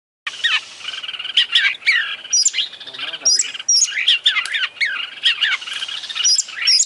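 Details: Oriental magpie-robin, an international champion singing bird performing a full 'isian' fill-in song, in dense varied phrases of loud sharp whistles, rapid warbles and rising-falling notes with brief pauses and a soft low rattle midway.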